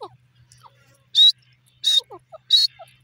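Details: Three bright, shrill whistled notes from a grey francolin, each brief and high-pitched, spaced about two-thirds of a second apart over a faint low hum and scattered soft chirps.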